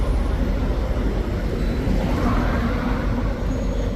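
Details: Loud, continuous low rumble like road traffic or heavy engines, with no distinct animal voices.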